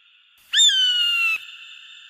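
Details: A single shrill eagle cry that rises briefly, then glides slowly lower for nearly a second and cuts off, leaving a faint lingering hum.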